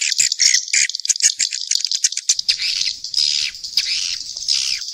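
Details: Mixed swiftlet calls as a rattling, buzzy chatter, with high chirps bunched into short bursts separated by brief gaps.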